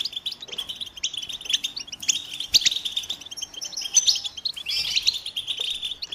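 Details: American goldfinches sing in a steady, high, tinkling twitter of rapid chirps and trills, with several voices overlapping and no pauses.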